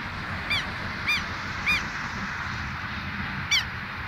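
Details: Pair of southern lapwings calling boldly beside their nest, left untouched so the birds are not disturbed. Four sharp, harsh, slightly rising notes with buzzy overtones, spaced about half a second to two seconds apart, over a steady background hiss.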